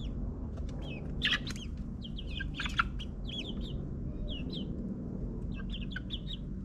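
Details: Young backyard chickens, ninth week, in a suburban yard: scattered high sliding cheeps from a few birds, some sharp clicks, and a soft low background rumble.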